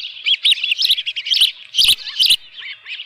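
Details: Osprey at its nest on a ranch, with a live fish, at 7:32 AM on 24 June 2018; rapid run of high, thin, whistled chirps, rising and falling in quick bursts, with a few sharp crackling knocks mixed in.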